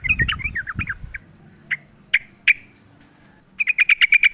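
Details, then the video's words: Sooty-headed bulbul fighting in the wild, used as a lure: quick wavering notes over low rustle, a few isolated sharp chips, then a rapid run of seven bright chirps. "trucukan gacor tarung full suara ALAM LIAR AMPUH buat PANCINGAN"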